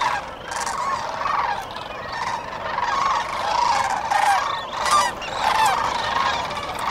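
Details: At dawn on the Cosumnes River, many sandhill cranes give rolling, trumpeting calls at once: a continuous overlapping chorus around a mid pitch, with louder bursts every second or two.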